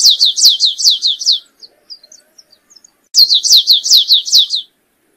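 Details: Canário-rasteiro singing two bright high phrases of rapid descending slurred notes, each about eight notes over 1.5 seconds, separated by a pause with faint scattered chips.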